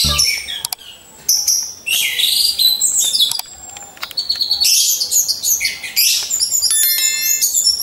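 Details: Orange-headed thrush caged and hung in a row for training champion singers, used as a lure; long varied high song mixing harsh chattering bursts, thin whistles and ringing repeated notes, with occasional clicks.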